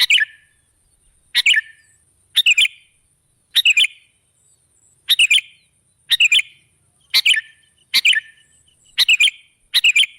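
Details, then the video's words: Sooty-headed bulbul song played as a lure to draw other birds: short bubbly phrases of three quick chirped notes, repeated about once a second in a steady series, with a faint high steady hiss behind. "Suara burung KUTILANG jebakan pemikat"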